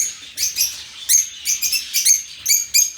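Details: Several lovebirds in an open aviary uttering sharp, shrill, upward-flicking chirps in quick irregular pairs and clusters, all high-pitched.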